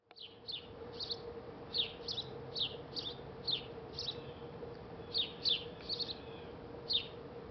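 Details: Male house sparrow calling or singing in McKinney, Texas, 18 January 2018: a run of bright, short chirps, roughly one or two a second at an uneven pace, over a steady low hum.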